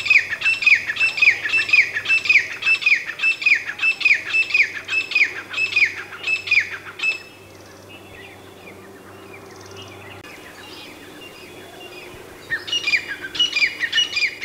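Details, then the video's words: Grey francolin gives loud, harsh, repeated notes, about two a second, then pauses for several seconds before calling resumes. "Grey Francolin Voice - Grey Francolin Sound - Grey Francolin - Teetar Ki Awaz - Teetar Voice"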